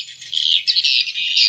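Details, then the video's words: Combined swiftlet lure of a BJ roosting (inap) sound and parent colony calls, made for swiftlet houses: steady shrill twittering that swells after a brief lull, over a faint low hum. "SP PANGERAN SRIWIJAYA STEREO INAP BJA FULL SUARA INDUK"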